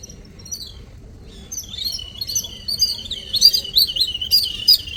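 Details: Little birds visiting in the morning, a few soft chirps, then a rising flurry of rapid, bright, overlapping tweets and twitters from several birds.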